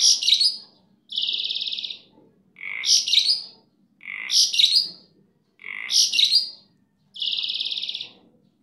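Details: Starling kept by its owner, singing very energetically (super gacor). Harsh chattering bursts alternate with long, even, rasping buzzy notes of about a second, six phrases in all, separated by short silences.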